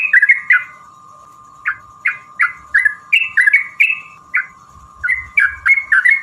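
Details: Yellow-vented bulbul singing to provoke rivals as a lure: short gurgling downslurred notes in loose groups, roughly three per second, with pauses, over a steady faint hum.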